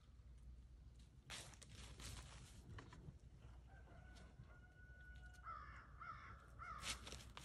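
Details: Barred Plymouth Rock rooster, attentive to his flock, crowing: a long, steady, drawn-out tone breaks into several louder, rougher, stuttering syllables near the end, over constant low background rumble and scattered knocks.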